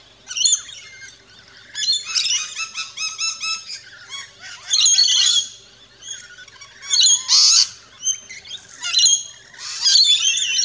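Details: Several rainbow lorikeets feeding at an Australian backyard station, mixing rapid chattering chirps with loud, buzzy screeches in irregular bursts throughout.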